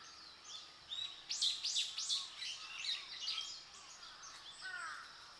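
Warbling white-eye giving a rapid, high, twittering warble of thin rising and falling notes, run together in quick bursts, with faint background hiss.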